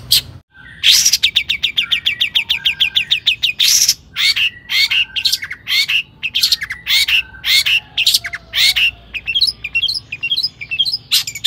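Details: Long-tailed shrike in aggressive full song, intended to rouse other shrikes to sing. A long rattling series of quick identical notes opens, followed by harsh squawky bursts and thin whistles in uneven rhythm.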